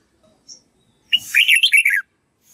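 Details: Red-whiskered bulbul voice practice meant for a young white-cheeked bird to learn: one faint chirp, then a brisk, rolling phrase of sweet warbled whistles that wavers up and down before ending on a falling note.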